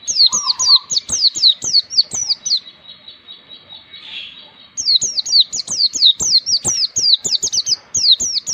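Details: Oriental white-eye training song for young birds learning to sing in forest style: long series of bright, steeply descending whistles about two per second, a brief low trill early on, a short pause midway, then the series resumes.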